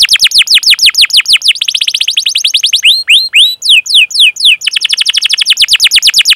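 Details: Canary chirping and rolling at length as a lure to teach young canaries: rapid, steady rows of high downslurred chirps, a stretch of slower, wider sweeps in the middle, then fast chirps again.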